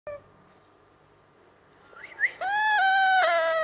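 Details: Young yellow Indian ringneck parakeet mimicking a cat: after a quiet start and two short rising chirps, a long drawn-out meow-like moan with rich harmonics holds steady to the end.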